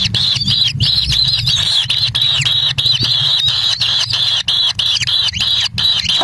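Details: Kingfisher chicks at the nest in the wild, Indonesia, competing as a parent brings a black lizard: a dense, continuous stream of shrill, wavering high squeals with brief breaks, over a low rumbling hum.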